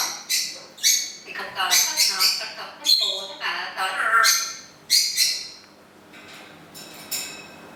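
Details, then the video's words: On its owner's birthday, a pet parrot sings happy birthday several times; dense run of squawky, harmonic, word-like notes for about five seconds, a woman's voice mixed in, then fading to scattered softer calls. "Parrot singing happy birthday to me, on my actual Birthday!"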